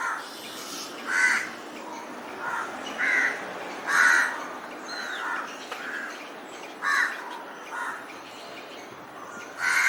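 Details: Crows calling while preparing to build a nest: harsh, hoarse caws in short bursts at irregular intervals, some louder and nearer, others fainter, over a steady hiss of background noise.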